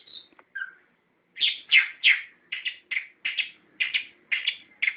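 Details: Orange-headed thrush song for luring captive birds into singing: a few soft notes, then a quick run of loud, rich slurred phrases repeated roughly three times a second, background silent.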